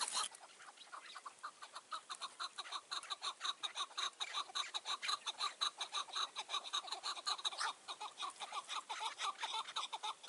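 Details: On a mountainside at evening in June 2018, a chukar partridge near a trap gives a long run of rough, clucking chuck notes, about two per second, rising in strength midway and steady throughout.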